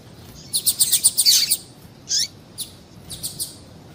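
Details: Female double-collared seedeater call, meant to stimulate males to sing: a fast run of high, thin chip notes, then a single downslurred chirp and a few scattered short ticks, with no other sounds.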